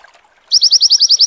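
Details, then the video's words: White-eye (pleci) giving a fast run of about nine high, bright, rising notes at roughly ten per second, a shrill, dense "wit wit" mantenan-style call used as a training recording for songbirds, after brief faint background. "PLECI WIT WIT SAMBUNG NEMBAK MANTENAN"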